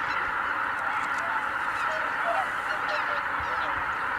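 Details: Greater white-fronted geese taking off en masse at Kabukuri-numa, Japan, on 12 January 2019. Continuous, dense chorus of honking with scattered short clear notes rising above the din.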